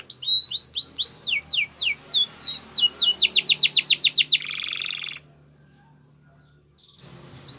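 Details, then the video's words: Spanish Timbrado canary singing a training song: a loud series of rapid descending whistled sweeps, then a fast metallic rattle, a harsh burst, and a short pause before faint notes return. "Canary Singing Training Video"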